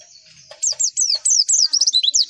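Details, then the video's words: Javan white-eye (pleci) lure song to make other pleci answer: after soft lower chips, a quick series of high, sharp, downslurred whistles follows steadily to the end. "MASTERAN AMPUH PLECI, Klik sekali semua pleci pasti nyaut"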